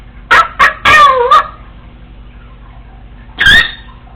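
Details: Female Congo African grey parrot talking to herself while alone at home, practicing phrases she hears: a quick burst of four voice-like syllables, some gliding up and down, then one more after a pause.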